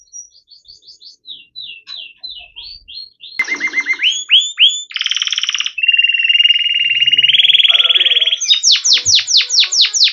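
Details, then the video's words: Yellow canary song with soft chirping notes, then loud buzzy rattles, a long rolling trill held for several seconds, and a closing series of rapid high sweeping notes. "Canary Bird Sound | Yellow Kanari Sound | Canary Bird Song"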